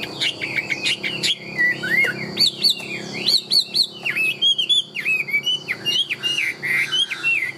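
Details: A Chinese hwamei (Garrulax canorus) pours out a loud, rich song of fluty, slurred whistles, rising and falling in quick varied phrases with hardly a pause.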